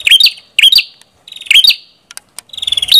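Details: Red-headed prinia (prenjak kepala merah) giving sharp, bright chip notes in quick pairs, each with a dipping twist, then a rising thin whistled trill at the end.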